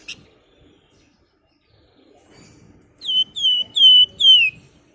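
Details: Female flamboyan calling a male: after a quiet start, four loud clear whistles each slide downward, repeated about every half second, with a faint low hum beneath.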